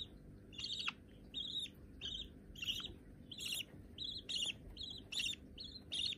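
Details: Hand-tame young budgerigars, perhaps both white, chirp steadily a little over once a second, each note raspy and slightly rising, with a constant low hum throughout.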